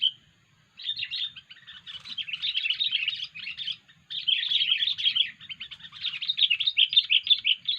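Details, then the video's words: Strange 'poin' voice of a sooty-headed bulbul used for luring: one clear note, then long bouts of fast, grating chatter with a short break partway through. "poin kutilang suara aneh"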